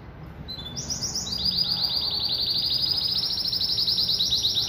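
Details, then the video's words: Pintagol hybrid (Venezuelan siskin crossed with female Belgian canary) kept as a caged bird, delivering brisk high notes that run into a sustained rapid rolling trill, about four pulses a second heard as a continuous bright warble. "Pintagol Venezuelano"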